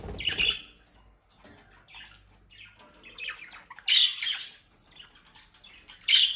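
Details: Budgerigars from a home-bred flock of playful young birds kept in South Holland, the Netherlands: scattered scratchy squawks and chirps come in irregular bursts, with quiet gaps and a few thin high whistles between them.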